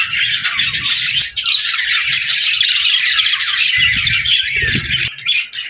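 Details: Several budgies keep up continuous bright chirps, squawky twitters and warbling chatter without a break, over a soft low rumble in the background.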